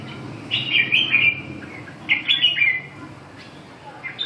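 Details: Red-whiskered bulbul singing, two bursts of bright warbled phrases with quick rising and falling notes, each about a second long, separated by a pause; low steady background hum.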